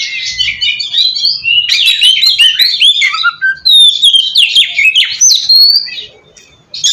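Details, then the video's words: Lure song of an oriental magpie-robin, played so other magpie-robins answer: warbled twittering phrases, then loud clear whistles and downslurs, fading to quiet near the end. "suara pacingan burung kacer ampuh!! buat mancing kacer bahan dijamin langsung nyaut"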